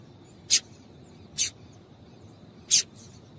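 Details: Three crisp, very high chirps from a female yellow-bellied seedeater, called to warm up males for song tournaments, the first two close together and the third after a longer pause.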